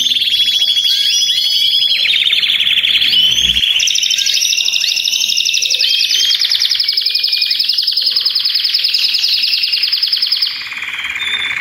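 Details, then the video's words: Belgian canaries, many singing at once as a chorus meant to stimulate other canaries, especially young birds or adults after moult, to sing; dense high rolling trills and warbled phrases overlapping continuously, with a brief thump near the middle. "BADERNA DE CANÁRIOS BELGA 5 MINUTOS PARA SEU CANÁRIO CANTAR"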